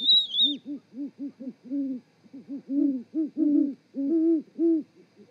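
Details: Great horned owls in a mating duet at a Montana osprey nest in Charlo, February 2018 evening. A thin high whistled note opens, then rhythmic low hoots from two birds, some doubled and overlapping, continuing steadily throughout.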